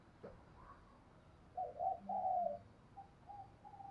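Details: Spotted dove from Đồng Nai, Vietnam, cooing in the morning: a faint, low, hooting phrase of two short notes followed by a longer drawn-out coo. Softer coos trail off afterwards against quiet background hiss.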